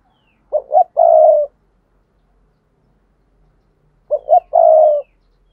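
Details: Spotted dove coo for luring wild doves, repeated twice about three and a half seconds apart: a double hoot followed by a sustained low coo each time, with silence between.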